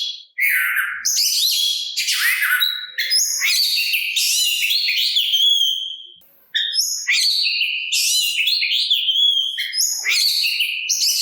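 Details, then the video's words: Oriental magpie-robin song meant to provoke other magpie-robins into answering: dense, high, varied chattering and sweet whistled phrases, almost continuous, with one brief pause midway. "Suara Burung Kacer Pintar dalam Memancing Bunyi Kacer Lain! Kacer Lain Pasti Nyaut"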